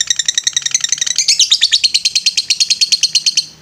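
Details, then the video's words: Lovebird ngetrek song for training other birds: rapid high chirps that speed up and merge into a continuous buzzing trill, holding for over three seconds and then stopping abruptly. "MASTERAN LOVE BIRD NGETREK"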